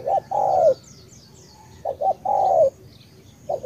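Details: Tú-style cooing from a Cà Mau spotted dove. A short note precedes a long, mellow falling coo, then two quick short coos and another long descending one. Soft chirps of other birds are heard high above.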